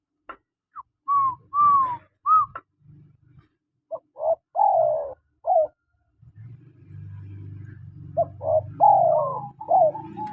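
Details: Male and female spotted doves calling: a few short rising notes, then hoarse falling coos in groups, with a low steady hum in the background during the later part.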